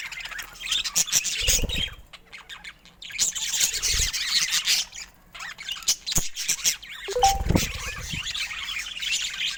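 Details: Pet budgerigars in varied colours give scratchy warbling chatter in bursts, broken by short pauses, with dull low thumps and clicks from cage or handling noise.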